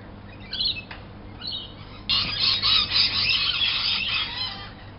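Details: Lorikeets in an early-morning chorus outside a window: a few sharp screeches, then a dense, continuous wash of shrill, grating squawks from many birds at once.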